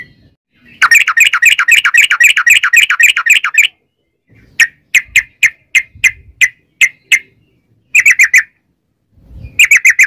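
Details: Sooty-headed bulbul singing a long 'ropel' roll, used to lure other bulbuls into song: a three-second burst of rapid chattering notes, then evenly spaced single chirps, and short quick bursts near the end.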